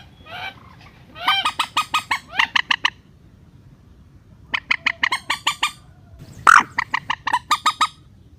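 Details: Relaxed-style rail (mandar) lure call, used by bird trappers to draw birds down to nets: a faint rising note, then long runs of loud, nasal, clipped squawks repeated quickly in three bursts.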